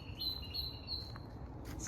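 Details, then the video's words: Blue-and-white flycatcher, a common migratory bird, heard close by in South Korea during May or June: three clear, high whistled phrases in quick succession, then a brief buzzy note at the end. "I can just hear the blue and white flycatcher."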